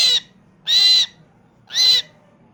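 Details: Three short, harsh, buzzy myna calls, each about a third of a second long and roughly one second apart.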